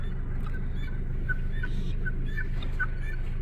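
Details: Guinea hens calling, scattered harsh short notes at an uneven pace, backed by a steady low rumbling hum.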